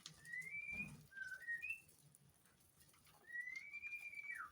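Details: Captive white-rumped shama in the mating season at a breeding facility, in breeding condition: long, slightly rising whistles and short higher whistled notes, fairly faint over steady background hiss and a low thump.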